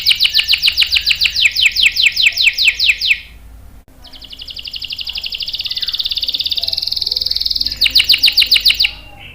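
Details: Canary song for luring and training young birds: a fast series of sharp descending notes, a short pause, then a long even high rattle lasting about four seconds, closing with another burst of quick swept notes.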